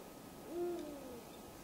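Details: Male Eurasian eagle-owl calling at dusk on 2 March 2010 in Falkenberg municipality, Halland: a single deep, low hoot swelling briefly then fading, with a quiet, still background.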